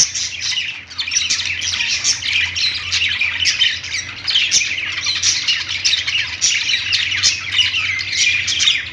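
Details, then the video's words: A flock of budgerigars perched in a pet store squawks and chirps without pause, harsh buzzy chatter filling every second, with a faint low hum beneath. "budgies singing on perch | parakeet chirping sounds in pet store"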